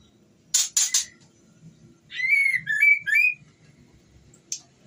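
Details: Breeding-condition female white-rumped shama calling to a male: two harsh scratchy bursts, then a cluster of high slurred whistles, and a final short rasp.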